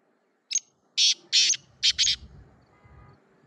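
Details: Black francolin calling: a short sharp note, then four harsh, buzzy, high grating bursts in quick succession over about a second and a half, with faint low rumble behind.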